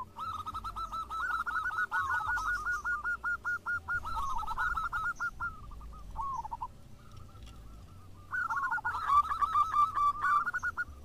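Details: Local zebra doves in lively song, answering one another: long runs of quick, bouncing coo notes, some overlapping between birds, easing off briefly before a loud new burst near the end.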